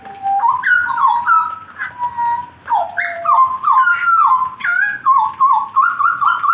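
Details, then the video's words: A blorok being warmed up to sing gives loud, clear whistled phrases. The notes step up and down in quick, varied bursts, with short gaps between phrases. There are no other clear sounds. "kasi panas dlu jagal blorok nya"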